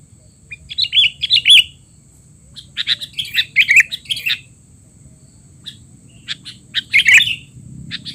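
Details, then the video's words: Sooty-headed bulbul in a noisy, agitated mood, used to train young bulbuls: clusters of sharp chirps and slurred notes separated by brief pauses, ending in a louder flurry, with a steady high hum underneath. "burung kutilang teler!! suara ribut paling cocok untuk kutilang bahan"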